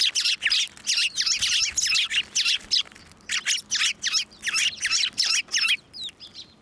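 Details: A flock of sparrows at a Tenmangu shrine, landing on a hand to be fed, March 2024: continuous rapid, harsh chattering chirps in tight bursts, nearly three per second, with a brief pause midway.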